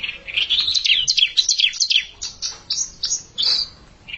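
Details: A young bar-winged prinia sings against an established rival in a challenge: fast, high twittering notes that slur up and down in quick runs, then a few separate sharp chirps.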